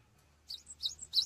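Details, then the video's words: Cinereous tit in full song, recorded as a tutor for training songbirds: three quick high two-part phrases, each a sharp note sliding into a thinner whistle, over a faint low hum. "GELATIK BATU GACOR UNTUK MASTERAN"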